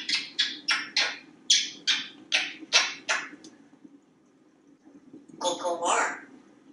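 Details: Indoor pet African Grey Parrot, male, on a kitchen faucet in Texas. A rapid run of about eleven clipped, clicking chirps, then a pause and a brief garbled, speech-like phrase over a low household hum.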